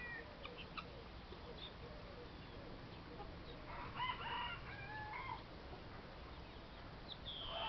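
Guineafowl giving harsh, grating calls in short broken bursts over a steady low rumble of background noise.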